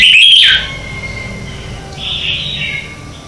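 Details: Red-whiskered bulbul morning song used as a lure for training birds to sing and for competition singing: a loud, bright whistled phrase opens the clip, then a softer warbled phrase follows about two seconds later over faint background hiss.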